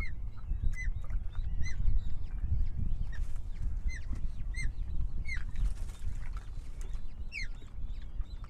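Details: Osprey at a nest camera in the Marais d'Orx nature reserve, France, a reintroduction-project breeding pair of a male and a female from Germany, 18 May 2023 at 08:47. Short downslurred whistled chirps, repeated roughly every half second, over steady low wind rumble.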